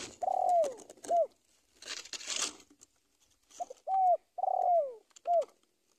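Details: Spotted dove calling to a rival: low coos ending in downward-sliding notes, paired with short clipped coos, interrupted by a burst of rustling or scraping noise.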